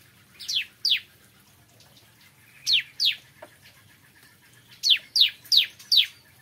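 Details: A bar-winged prinia sings in the morning, with sharp down-slurred chirps in pairs and short bursts separated by quiet gaps, ending in a run of four notes.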